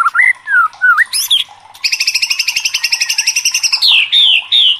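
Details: Worked-up white-rumped shama singing: a few loud swooping whistles and a high squeaky note, then a long, steady, rapid trill of paired ringing notes for about two seconds, ending in falling whistled slurs.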